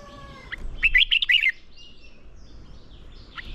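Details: Red-whiskered bulbul in training to provoke singing and fighting-style song: a short burst of rapid, warbled whistled notes near the middle, with faint background chirps from other birds.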